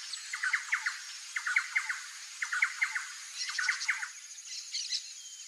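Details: Little Woodpecker female peering out of the nest entrance; short clustered bursts of dry, clicking notes, four or five per burst, repeated roughly every second, fading toward the end under a continuous high-pitched insect hum.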